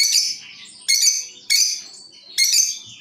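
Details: Lovebirds answering one another, used as a lure: four loud, harsh, high screeching calls, each fading slowly, spaced under a second apart.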